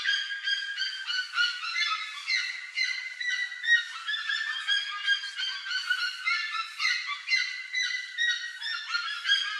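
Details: A group of plush-crested jays plundering corn from a trail, calling together in a continuous chorus of harsh, nasal, honking notes overlapping several times a second, with no other clear sounds.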